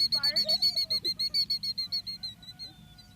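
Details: A Killdeer protecting its eggs as people approach the nest gives a rapid run of shrill, high notes, about five a second, fading over three seconds; a child's voice is heard briefly at the start.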